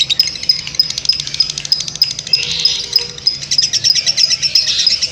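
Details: Lovebird giving ngekek panjang, its long continuous chattering song: high, dense rattling trills repeated rapidly without break, over a steady low hum.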